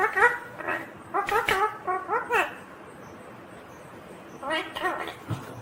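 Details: Ringneck green parrot talking in quick, choppy word-like syllables with arched voiced tones, a pause, then another short chattering burst.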